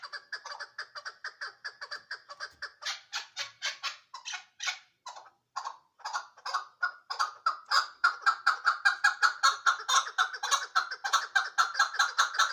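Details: Chukar partridge at Ishkoshim giving a long run of clucking chuck notes, starting as steady, evenly spaced pulses, then turning louder and faster into a rapid, throaty rhythmic chatter toward the end.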